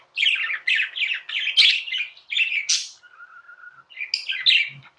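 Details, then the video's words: Pet budgerigar chirping indoors: a run of scratchy, buzzy chirps, then a soft, even warbling trill and a final burst of bright, harsh notes. "Budgies | Talking | Singing | Chirping sounds"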